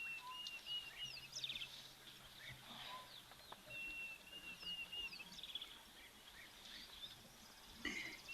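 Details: European bee-eaters calling overhead at an African waterhole in early November, rolling liquid trilled calls from several birds overlapping, with scattered high chirps from other birds and a soft outdoor background.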